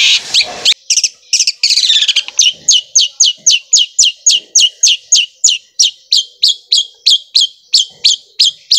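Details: Long-tailed shrike song likened to a sewing machine: a few harsh scratchy notes, then a fast steady series of sharp downslurred chips repeated about three times per second.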